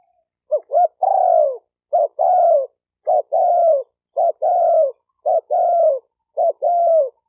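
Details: Spotted dove cooing, used to stimulate males and females; a clean phrase of two short notes then a longer falling coo, repeated about every 1.1 seconds, six times, with no other sounds.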